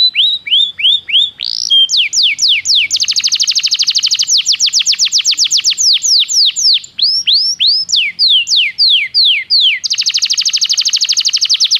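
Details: Belgian canary song used for training: a loud, high run of quick downward-sweeping notes changing into long, dense rolling trills of rapid repeated notes, with several shifts in tempo.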